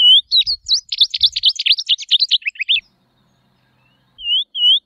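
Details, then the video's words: Tropeiro seedeater (Sporophila beltoni) sings a quick, jumbled run of high sweet notes for nearly three seconds, then pauses and gives two clear, slurred whistles. "Canto da Patativa Tropeira Sporophila Beltoni"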